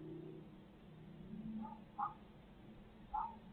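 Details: Two clear, harsh squawks about a second apart from Midtown Tulsa's barred owls, recorded on a 2020 live feed, preceded by a softer note over a low droning background.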